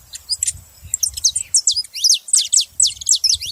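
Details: Loud, quick series of saffron finch calls: bright, high, sharply falling chirps repeated at an uneven pace, over low background rumbling.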